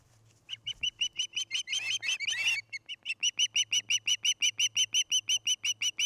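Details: Osprey calling at its nest near Charlo, Montana, on the evening of 29 August 2018: rapid repeated whistled chirps, about three a second, briefly broken by a burst of rustling or wingbeat noise before the even chirping resumes.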